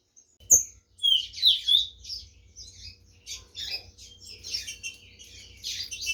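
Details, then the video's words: Green-winged saltator singing at a song competition in Brazil: loud clear whistled notes open, followed by a busy stretch of high chirps and overlapping calls from other birds. "TRINCA FERRO"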